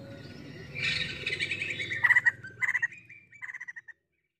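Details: Female White-crested laughingthrush (poksay jambul) chirping very busily: a rapid jumble of bright chirps and squeaky notes, then short clustered bursts of clipped chips that end abruptly, over a steady low hum in the background.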